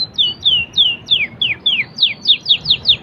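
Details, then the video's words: Canary song, standard cengkok: a steady series of about a dozen sharply falling whistled notes, roughly four per second, clear and bright over faint low background noise. "canary singging_standart cengkok"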